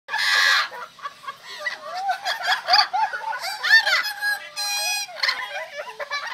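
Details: Laughing birds behind the museum at the central bank in Cuenca, Ecuador. Loud cackling, laugh-like calls in rapid harsh bursts with sliding whines, several overlapping voices rising and falling.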